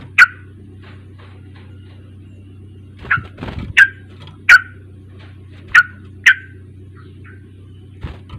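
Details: Sooty-headed bulbul lure recording meant to prompt a young bird into singing: sharp, short chipping notes with quick falling tails, given singly and in pairs across several seconds, over a steady low electrical hum.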